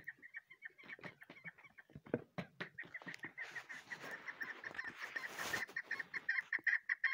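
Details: Chukar partridge chick giving rapid, evenly pitched peeping notes, repeated several times a second, over scattered clicks and rustling handling noises.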